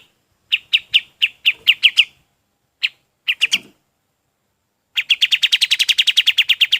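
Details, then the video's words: Golden-bellied gerygone song used for training other birds: a series of spaced, sharp, high single notes about four per second, a pause, then a fast, continuous trill of high notes. "SUARA KAPAS TEMBAK"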